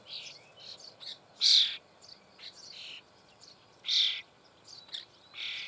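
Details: Starling young being fed inside a breeding hole in the Eifel near Büchel give rasping, hissy bursts. Three louder bursts come roughly every one to two seconds, with softer scratchy chirps in between.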